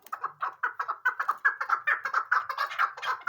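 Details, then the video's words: Female chukar partridge giving rapid, evenly repeated clucking chuck notes, roughly two per second, in a steady run with no pause. "chakor awaz chukar keklik sesi"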